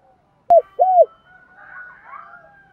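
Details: Spotted dove calling so a house bird coos back: a sharp click-like note, then one bright arched coo, followed by soft, faint, wavering murmurs.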